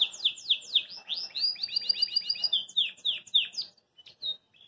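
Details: A Belgian canary hopping in its cage sings a fast, bright run of sweeping whistled notes and rapid trilled phrases, high-pitched and continuous, ending in a few sparse chirps.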